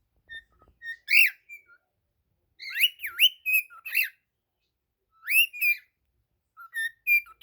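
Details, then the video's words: Singing cockatiel indoors, bright whistled phrases with swooping up-and-down slurs and short flat notes, grouped in three bursts with pauses, quiet background. "Calopsita cantando ❤ cockatiel singing"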